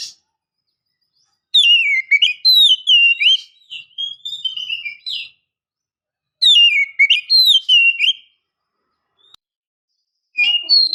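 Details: Oriental magpie-robin female calling to provoke males: two bursts of rich, varied whistling with sliding and trilled notes, separated by silence, and a final short phrase.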